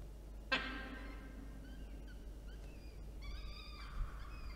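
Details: Two peregrine falcon chicks being fed by an adult, Orange, New South Wales, Australia, 9 October 2022: a sharp thump, then short squeaky notes and a drawn-out harmonic whistle, over low background rumble.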